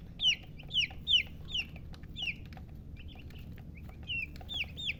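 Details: Baby chicks chirping: clear high downslurred peeps, roughly one or two per second, some loud and piercing, others softer, over a faint low rumble.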